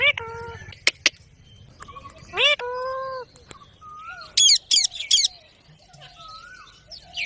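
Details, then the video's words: Parrot making drawn-out, level harmonic calls and brief rising whistles, with sharp clicks and a burst of high, raspy chatter in the middle. "Parrot Natural Sounds Compilation | Parrot Talking Videos/ Voice|Mitthu ki awaaz|Parrot ki awaaz"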